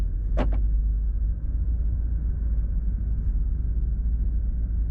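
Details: A constant deep traffic rumble is broken once near the start by a short sharp knock, and no animal sounds are heard.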